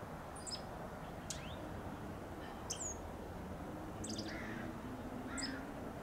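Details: A Dark-eyed Junco in a blooming bougainvillea vine in California gives short, high chips and quick twittery notes about a second apart, over a steady low rumble.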